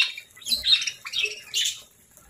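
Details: A pet parakeet's morning feeding brings two or three quick, shrill chirps that slur up and down, ending in quiet.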